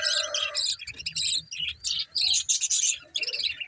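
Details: Budgies give high, rapid twittering chirps and warbles in bursts separated by brief pauses, with a low hum underneath.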